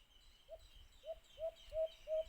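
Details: White-eared brown dove (alimokun) during cage-trap hunting: five short, low hoots at uneven spacing, growing louder toward the end, over a faint steady high hiss.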